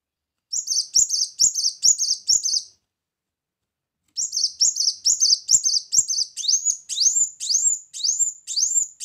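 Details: Brown-throated sunbird lure song: a run of quick high chirps, a pause, then more chirps shifting into loud rising whistled notes repeated about every half second.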